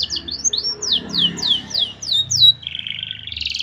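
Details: Canary master song for training young birds: a series of loud, sharply falling slurred notes about every third of a second, then a buzzy roll, over a murmuring background noise.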